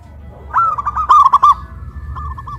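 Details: Caged local zebra dove, raised on a pole in Kuningan, West Java, singing loudly in a big-voice versus crystal-voice duet: one rising opening note then a fast run of rounded, bubbling coos, with softer cooing trailing after.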